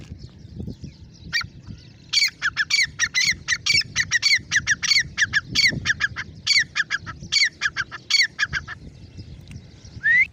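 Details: Grey francolin, known as irani teeter, calling: a long, fast series of loud, ringing, harsh repeated notes lasting about six seconds, over a low background rumble, with a brief rising whistle at the end.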